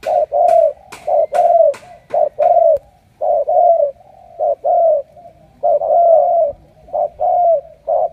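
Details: A newly caught captive spotted dove from Cà Mau, kept as a strong-cooing decoy bird, gives a long run of low, hollow coos in short bursts about one a second, broken by brief pauses, with a few sharp clicks at the start.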